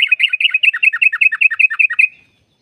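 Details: Long rolling trill of a yellow-vented bulbul, meant to stimulate caged birds to sing: about seventeen quick, evenly spaced warbled notes over two seconds, each dipping and rising, ending in a thin trailing tone.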